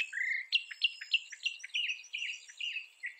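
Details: Northern mockingbird (Mimus polyglottos) from North America delivering a quick string of repeated clipped, downward-sliding notes, around three each second, following one opening drawn-out whistle.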